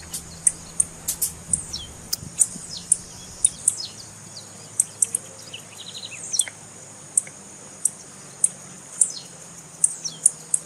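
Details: Female blue-black grassquit calling, the call breeders use to make cold males sing: a long series of sharp, very high chips, busy at first and then steadier at about two per second, with faint slurs and a low hum.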